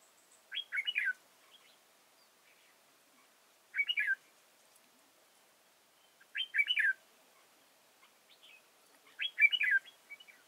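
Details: Decoy red-whiskered bulbul at a trap site in Chùa Hương, Vietnam, 31 March 2018, sings four near-identical chirpy warbled phrases spaced about every three seconds, each a tight burst of bright slurred whistles, with silence between.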